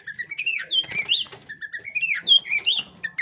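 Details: Oriental magpie-robin female (kacer poci) in breeding condition, doing the tail-spreading ngobra display meant to draw a male into displaying; softer string of slurred whistles and upward-sweeping notes with faint low rustling beneath.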